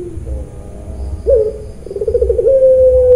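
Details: Puter pelung dove from a farm in Cilacap, Central Java, calling 'nangis' style: a soft low note, a sharp rising onset, a stuttering pulsed run, then a steady drawn-out coo.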